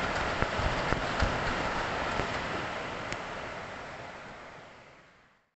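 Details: Steady broadband rushing wind-like noise with a few faint clicks, fading out at the end; no animal calls heard.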